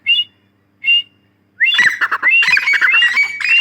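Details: Female grey francolin (Dakhni teetar): two short rising whistled notes, then a burst of loud, harsh, rapid squawking calls with rising tones.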